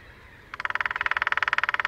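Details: Early-morning display drumming by a lesser spotted woodpecker, one of a territorial pair at Sandemar Reserve, Sweden, in glorious sunshine, taken through a parabola: a sudden fast rattle of crisp, evenly spaced taps running over a second to the end.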